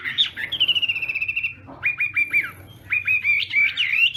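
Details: Chinese hwamei singing in morning voice practice, a long sliding whistle held near steady pitch, then a pause and rapid repeated downward-slurred notes rising into bright whistled phrases.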